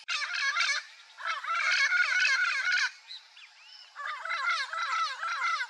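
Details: Loud, grating outbursts from a turquoise-fronted parrot (papagaio-verdadeiro), in long buzzy bursts of fast pulsed squawks and warbles, with softer screeches and short whistled slurs in the pauses.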